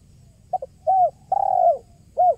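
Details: Kuk 1 song of a tekukur, or spotted dove, used as a lure: a clipped double note, a rounded coo, a long drawn falling coo, then one more coo, loud and clean.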